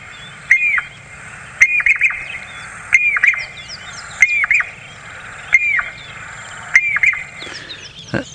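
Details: Jacobin cuckoo call played back during a sunrise game drive at Djuma, Sabi Sand, South Africa, 29 November 2017: loud, shrill whistled notes, each dipping then rising sharply, about every 1.25 seconds, with faint background birdsong; three or four cuckoos nearby.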